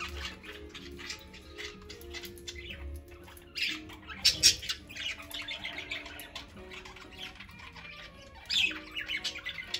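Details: Several pet parakeets, young and elder, playing, eating and lounging indoors; dense overlapping chirps and scratchy squawks, with louder bursts near four and eight and a half seconds, faint low steady tones underneath.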